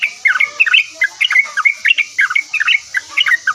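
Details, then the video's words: Yellow-vented bulbul in full, energetic song, responding straight away: rapid gurgling and whistled notes that flick up and down, about four or five per second, over a steady background hiss. "OCEHAN BURUNG TRUCUKAN GACOR LANGSUNG NYAUT"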